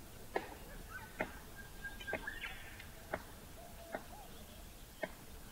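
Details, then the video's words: A Palm cockatoo gives a drumming display with a stick as a tool: six sharp, woody knocks at slightly uneven intervals of about one second, with faint thin whistled notes early on. "Palm cockatoo drumming display using a stick"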